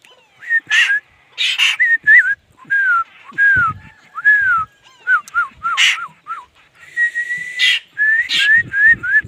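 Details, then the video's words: Laughingthrush giving a varied song of clear, fluty whistles that rise, dip and warble, interrupted by a few loud, noisy bursts, with short pauses throughout. "khướu hót"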